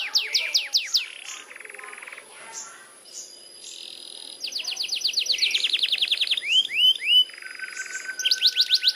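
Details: Canary's long rolling (ngerol) song: sharp sweeping trills alternate with soft buzzy rattles and flat tones, then rising whistled notes, over a thin continuous high-pitched tone.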